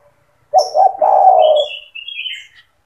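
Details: Spotted dove singing, used for training young doves. One low, rough coo phrase, with two short notes leading into a sustained falling coo. Thin, wavering high whistles from another bird follow it.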